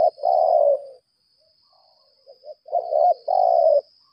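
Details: A lambung kuk decoy spotted dove gives laga contest calls. Two clusters of rough, mid-pitched coos are split by about a second and a half of near silence with a few soft notes. A constant high-pitched hum sits in the background.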